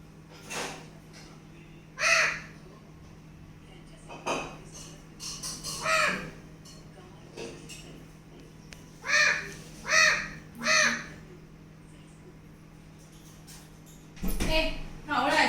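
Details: A talking pet Alexandrine parakeet imitates a crow, giving harsh, crow-like caws in short bursts, some in quick groups of two or three, over a low steady hum.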